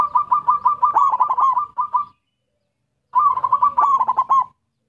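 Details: Local zebra dove in lively song used to lure other zebra doves: two bursts of rapid, bubbly cooing notes at a steady mid pitch, the first about two seconds long, then a pause and a shorter second phrase.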